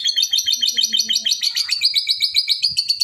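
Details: Excited lovebird giving long continuous chattering, a rapid run of high, sharp, evenly pulsed notes several per second throughout, with faint lower chirps early on.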